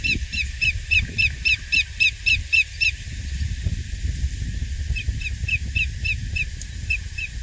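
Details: Greater yellowlegs at Coquille Valley Wildlife Area, Coos County, Oregon, on 23 April 2021, calls in two bouts of fast, evenly spaced whistled notes. A loud burst of about ten is followed by a pause and a softer, looser run, with wind rumble throughout.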